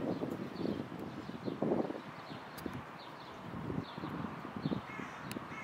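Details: A mute swan in Tivoli Landscape Park, Ljubljana, on 2 April 2024, gives hoarse, snorting grunts in short irregular bursts, while faint thin whistles of small birds sound in the background.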